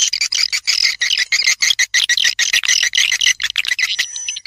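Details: Swiftlet call used as a lure: fast, buzzy chirps in quick succession, about three per second, fading into scattered thin notes with a faint steady whine at the close.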